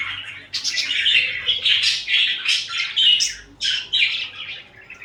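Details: Pet budgerigars cuddling and fighting, chattering in a continuous scratchy warble of rapid chirps and squeaks, with brief gaps near the start and middle; heard indoors.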